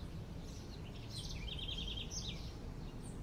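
A house wren gives a quick, bubbling burst of high trilled notes, about a second long, over a steady low rumble of background noise.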